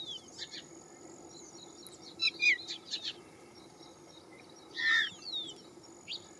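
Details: A Citrine wagtail foraging in fields gives short, high, buzzy chirps: a quick cluster midway and one louder call near the end, over steady background hiss and a thin high whine.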